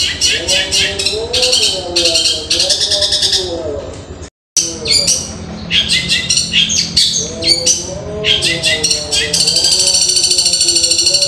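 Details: Cendet, or long-tailed shrike, delivering rapid 'tembakan gereja' bursts said to resemble a woodpecker: harsh rattling trills in repeated bursts, a brief gap near four seconds, then a long steady buzzy trill, with low wavy tones beneath.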